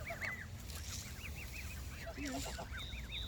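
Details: Canada geese near a lake, a flock giving a rapid series of arched, nasal honks, several birds overlapping, with a higher thin note near the end and constant low background rumble.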